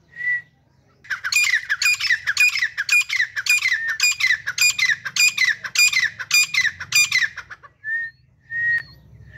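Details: A grey francolin pair, called Dhakni teetar, opens with a pure whistle. About ten harsh ringing phrases follow at a steady pace, then more short level whistles, over a low hum.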